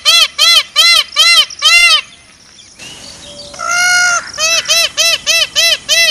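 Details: A peacock in a forest repeats short, strident arched calls in a fast run, falls quiet, gives one longer wail, then resumes the rapid series of brassy notes.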